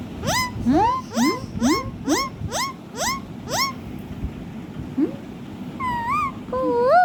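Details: Pet ringneck parrot, singing and dancing, repeats a quick upward-sliding syllable about seven times in a steady run. It ends with wavering whistled notes.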